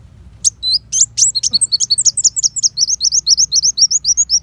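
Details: Purple-throated sunbird, called kolibri wulung, in a fast 'besetan' shot phrase used as a white-rumped shama tutor. Scattered piercing ticks open, then a rapid, even chain of high slurred notes runs to the end.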